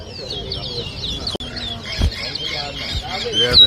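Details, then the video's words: Towa towa songbirds at an Arrival Day whistling competition at a bird ground in Diamond, Guyana, 2023. High, fast twittering whistles rise and fall, under a crowd murmur with a sharp knock midway. "TOWA TOWA BIRD WHISTLING COMPETITION"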